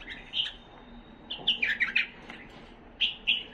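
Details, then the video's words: A tame hybrid Himalayan bulbul sings short, bright chirpy phrases in three bursts over a few seconds, mid-high pitched and slightly warbled, with a quiet background. "اجمل تغريد بلبل هملايا"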